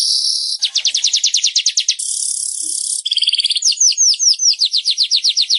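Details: Weaver singing, offered to prompt caged birds that have stopped singing: quick ticking series, a sustained hissing buzz, then doubled chips and fast downslurred notes repeated several times per second.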